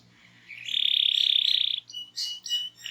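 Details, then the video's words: Energetic canary song used to prompt silent birds into singing: one long, rapid, high buzzy trill of about a second, then a few short sharp chirps over a faint low hum. "Kicau Burung Kenari Gacor Ngegas untuk Pancing Burung Diem"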